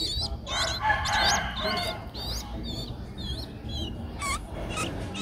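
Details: Streak-eared Bulbul nestling, 11 days old, in Ubon Ratchathani, Thailand, on 13 April 2023. Thin, high squeaky notes that rise then dip, repeated quickly, mixed with a louder rough, buzzy burst near the first second, over a low background hum.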